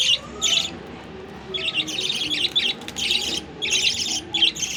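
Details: A happy budgerigar chirps in quick, scratchy bursts of high warbling notes, separated by short pauses.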